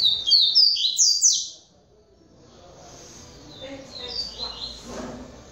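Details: Caged double-collared seedeater from a breeding aviary sings its Polish-style song: a bright, rapid run of clear whistles with sharp downward slurs, followed by quieter warbled notes and faint background noise.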